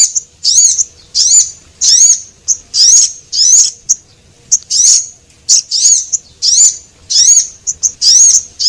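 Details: Javan munia calls, male and female, used as a lure recording: loud, thin, very high chirps with slurred rising and falling notes, delivered in quick bursts about every half second to second, with no other sounds.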